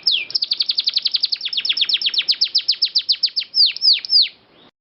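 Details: Canary rolling song, long and clear, used as a training master: a rapid run of sharp downslurred notes that gradually slows into three broad swooping whistles before fading.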